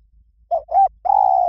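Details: Spotted dove giving a 'Liw Tan' style song, used as a lure so doves learn to sing back: short low coo, rounded rising-falling coo, then a sustained level coo cut off at the end.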